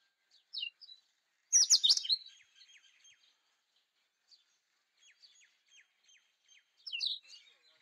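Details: Indian robin song: short, sharp high chirps and twittering notes in scattered bursts, with a loud, rapid, buzzy flourish near the start and a further chirpy phrase at the end, in otherwise quiet surroundings.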